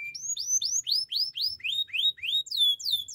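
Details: Canary singing, used for training other canaries: a brief note, then a steady series of bright upward-curving whistled notes, roughly three per second, shifting to higher falling sweeps at the close.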